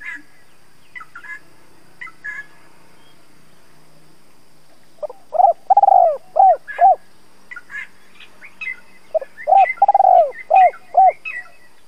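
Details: Decoy spotted dove cooing to provoke wild doves: after a stretch of faint high chirps from other birds, two full phrases of low arched coos come through, each with a tremulous long note and clipped hoots.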